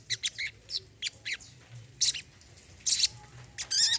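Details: Brown-throated sunbird in a therapy recording for a silent bird: separate high chirps and short slurred notes, with a few louder buzzy bursts and a closing trill.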